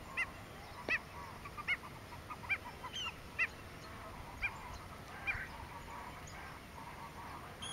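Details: Lesser yellowlegs at Porto Jofre, Pantanal, Brazil, on 25 September 2013 giving short, clear whistled tew notes, singly or in quick pairs, roughly every second over steady background hiss.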